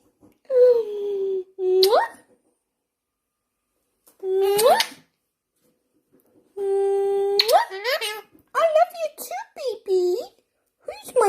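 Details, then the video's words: A pet Indian ringneck parakeet talks in the morning, in short, high, nasal phrases about a second long, several ending in a sharp upward slide, with quiet gaps between. "Talking bird Parrot | Talking indian ringneck"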